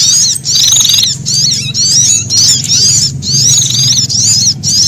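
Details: Sunbird alarm when frightened, blended with prinia calls: loud, shrill, zigzagging chatter in bursts of about half a second separated by short gaps, over a constant low drone.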